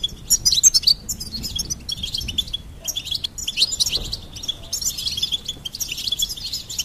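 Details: A goldfinch sings in bright high bursts, an intense twitter at the start, then steady runs of chirping notes.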